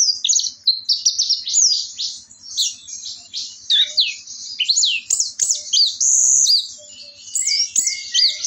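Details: Orange-headed thrush pouring out a 'teler' style song: loud, high, sweeping whistled slurs and arched notes in quick varied series, with a few brief clicks in the background.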